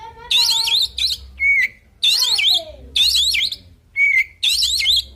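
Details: Oriental magpie-robin fighting song built from a loud phrase repeated about once a second, rapid zigzagging high notes mixed with a clean steady whistle and a lower descending slur.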